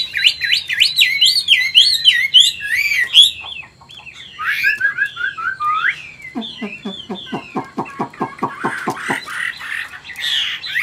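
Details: Caged Chinese hwamei in Vietnam, old, wild-caught and large, singing forest-voice style. Dense jumbled whistles and slurred notes run into a rapid train of dry clicking pulses, ending with buzzy, scratchy phrases.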